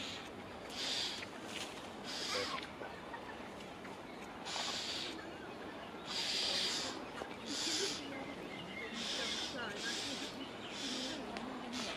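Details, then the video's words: Common starlings screeching and scolding at a carrion crow that has landed in a tree close to their nests; harsh, noisy rasping bursts, each about a second long, repeated irregularly over steady background noise. "Starlings scolding a Carrion Crow"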